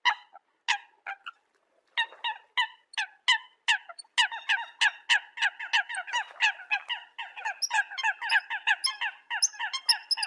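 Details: Eurasian coots calling the flock: spaced short notes that speed up into a dense, rapid chatter of overlapping clipped calls.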